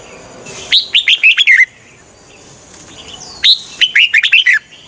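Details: Red-whiskered bulbul decoy song for luring wild birds into traps, two lively phrases of about six rapid whistled notes each, dropping in pitch at the end, separated by a two-second pause.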